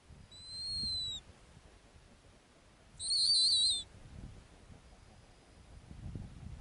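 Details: A female snowy owl on her Arctic ground nest makes a soft, gently falling whistle, then a louder, wavering, quavering high whistle a couple of seconds later.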